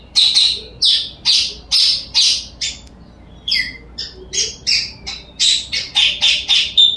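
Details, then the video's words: A blue-crowned hanging parrot calls in sharp, high, squeaky notes, about two per second at first, then a brief silence and a faster run of thinner, piercing chirps. "serindit puling ..bunyi puling galak"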